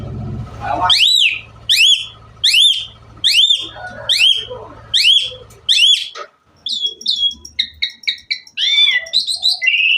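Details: Asian pied myna singing intensely with a rich, varied filler-laden song: a run of about eight loud, rising whistled notes roughly every 0.7 seconds, then quick, varied chirps and upslurred whistles toward the end.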